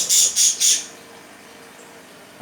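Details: Budgerigars indoors, a father and his two sons fighting over a cup, give three harsh, high squawks in quick succession, then the room goes quiet.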